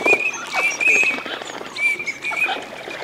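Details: Eurasian teal during courtship displays in a wetland of the Aiguamolls de l'Empordà nature park, Spain, on 25 December: short clear whistled notes near one pitch, repeated irregularly, over a busy background of splashing and other soft calls.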